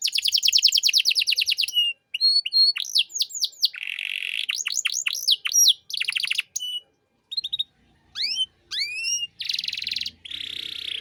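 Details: Lively canary tutor song with luxurious phrases for training young birds: a fast descending trill, scattered whistled notes, buzzy rolls and quick rising sweeps separated by short silences, ending on a steady buzzing trill.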